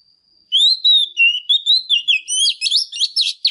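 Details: A female Oriental magpie-robin sings hard to excite male birds. A steady whistle runs under a loud, continuous run of sweet whistled notes that gradually turns faster, harsher and more jumbled.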